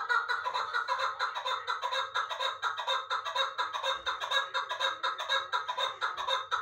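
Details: Uzbek chukar partridge, caught as a young bird last year and kept in Dushanbe, gives a long, steady run of hoarse chuck notes, about two per second, loud and rhythmic throughout.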